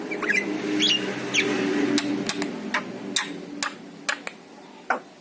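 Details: Yellow-eyed Javan myna song, played to coax pet mynas into singing: sharp clicks and short rising whistles scattered at irregular intervals, over a steady low hum.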